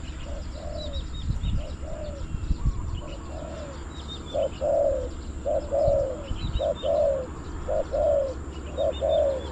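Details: Spotted dove at a decoy trapping spot in Bang Li, Thailand, calling to wild doves with a run of evenly spaced double coos, growing louder, while small birds twitter faintly high above and low thumps sound early on.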